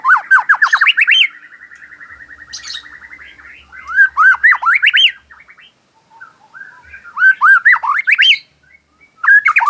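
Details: White-rumped shama singing in the afternoon: loud, clear looping whistles in bursts, one long rapid trill, then pauses between rich phrases of rising and falling notes.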